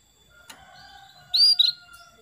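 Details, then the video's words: Calling female canary, meant to lure a male into song: a single bright whistle with a short trailing chatter, over a steady low electrical hum and a soft click. "PANCINGAN KENARI BETINA MEMANGGIL JANTAN PALING DAHSYAT"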